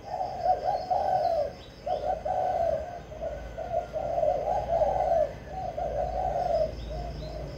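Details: Spotted dove used to lure and challenge other doves, cooing in long, steady, hollow phrases that run almost without a break over a quiet background.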